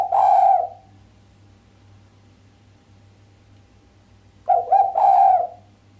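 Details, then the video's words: Island collared dove hen cooing in the sharp 'mbekur' style with no 'kuk' ending, a sound said to rouse the male. One purring coo fades out, then after roughly four quiet seconds a full low, rolling two-part coo follows, with a soft background hum. "Suara derkuku betina mbekur tajam tanpa kuk bikin sang jantan greget"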